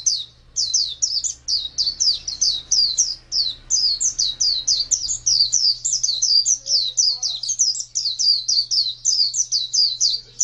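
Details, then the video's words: White-eye (pleci) kept by song-bird fans, delivering an energetic stream of high, sharp, falling chirps in quick succession, with a faint squeak partway through and a low steady hum. "Birds Chirping Pleci Master Joss Chirps"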